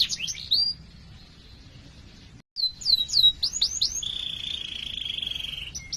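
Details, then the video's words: Canary in 'ngerol' rolling 'gacor' song, used to prompt other canaries: a few sharp swooping notes, a brief near-silent gap, more looping slurred notes, then a long, level whistled tone. "Suara Burung Kenari Gacor Panjang cuit cuit Ngerol untuk Pancingan Kenari!"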